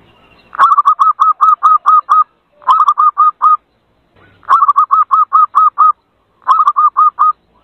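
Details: Zebra dove lure call for attracting birds: four bouts of fast, even, repeated coo notes, five to eight notes each, mellow and slightly hooked, with short quiet breaks between bouts.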